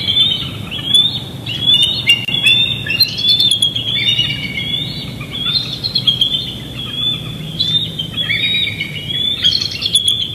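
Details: Young bald eagle chasing a parent over Big Bear Lake on a June 2022 evening, live nest cam audio: repeated high piercing squeals, drawn-out and wavering, roughly one per second with short sharp pips between, over low outdoor rumble.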